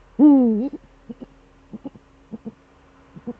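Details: Eurasian eagle-owl male at the nest in the Eifel, recorded on a December evening at 17:25 during a duet: one loud deep drawn-out hoot with a slight upward kink at the end, followed by several short soft low notes in pairs.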